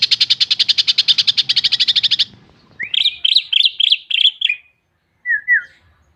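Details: Greater green leafbird in full-filler song: a fast, high rattle of repeated notes for about two seconds, then a string of varied rising and falling whistled phrases and, after a short gap, two brief slurred notes.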